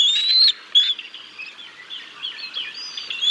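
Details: Bald eagles on the Decorah North nest cam, 6 May 2022, as the chicks are fed fish by the male and then the female: one long rising high whistle, then softer blurred chittering under a faint hiss.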